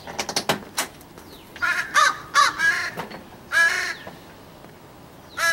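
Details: A very noisy young crow, son of a regularly fed crow, calling on a morning of 15 July 2017: harsh, nasal caws in uneven bursts, some clipped and some drawn out, with a person's brief greeting.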